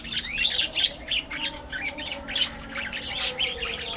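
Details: Budgerigar colony in an aviary, nonstop chatter of scratchy chirps, squawks and warbles from many birds at once, steady and bright.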